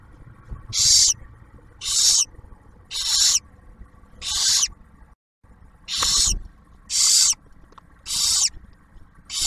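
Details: Newly hatched barn owlet at a nest box near Oak Harbor, Ohio, receiving its first meal from the parents, gives harsh, breathy hissing screeches about half a second long, roughly once a second with a brief pause; faint low hum.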